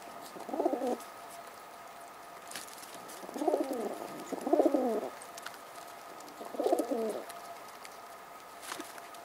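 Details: A mother pigeon keeping her chicks company and chatting to them gives four soft, low, throaty coos in short bursts a few seconds apart, over a faint steady background hum.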